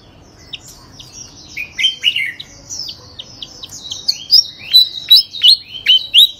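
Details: Unceasing song of a third-place contest bird: fast high chattering building into a series of loud sharp whistled notes about every third of a second.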